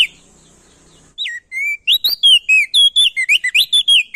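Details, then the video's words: Male ashy tailorbird from Nusa Tenggara, calling loudly to stimulate other birds to sing: after a faint start, high whistled notes run into a fast, varied series of rising and falling chirps. "Burung Prenjak daun NTB Gacor Atas Bawah"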